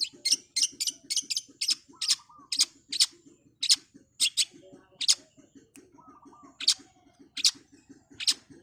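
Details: Long-tailed shrike (cendet) in fast training song: loud high scratchy bursts in quick groups, a couple of low warbled slurs, pauses between phrases, over a constant low ticking pulse.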